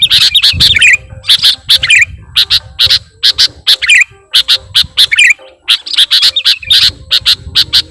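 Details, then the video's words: Sooty-headed bulbul lure recording: loud, busy chirping with short bright notes and slurred phrases, repeated in bursts almost without a break, with a little low rumble underneath. "Mp3 Suara Pikat Burung Kutilang Gacorr"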